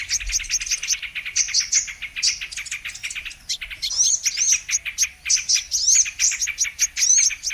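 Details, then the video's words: Bird-trapping lure of the brown-throated sunbird, a steady stream of shrill, rapid chirps and squeaky upslurred notes that keeps going with only a short dip in the middle. "Mp3 Pikat Burung kolibri MANGGAR/KOLIBRI KELAPA"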